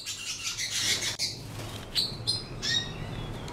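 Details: Canaries released into a flight aviary give bright, high chirps and short twittering notes in scattered bursts, over a low background hum and a man talking.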